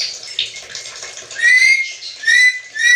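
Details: Black-capped lory, described as talking like a human, uttering three loud, clear whistled notes with strong overtones, each slightly rising, about one every half second after a quieter muttering start.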